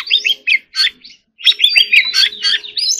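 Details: Captive white-rumped shama singing in contest style, delivering quick bursts of rich warbled and chattering notes, a short silence near the middle, then a dense run of whistled phrases; faint steady hum in the background.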